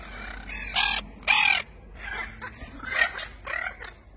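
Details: Captive Spix's macaws (Cyanopsitta spixii) on a farm give harsh, raspy squawks, two loud ones close together, then softer grating calls about half a second apart.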